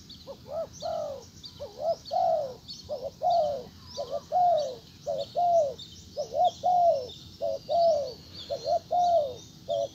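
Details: Cooing of a spotted dove decoy trying to pull back a wild dove: steady series of short double coos and longer drooping coos over ten seconds, with a busy layer of high insect-like chirping behind.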